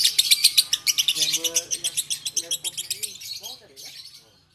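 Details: Lovebird from Takengon, Aceh, pouring out quick, high-pitched chirping notes about four per second that fade away after three seconds, with a man talking alongside.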